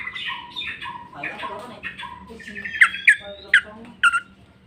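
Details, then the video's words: Greater green leafbird pouring out a full song of mimicked phrases: chattering, warbled notes, then four sharp, loud, downward-sweeping whistles in quick succession, indoors with a faint low hum. "cucak ijo mewah ful jamtrok bongkar isian"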